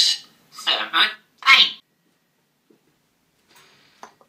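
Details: An African grey parrot from England, a talking-bird competition entrant, counts to eight in Polish ("jeden, dwa, trzy..."), a quick run of clear human-like syllables, then falls quiet with a few faint knocking taps in the room.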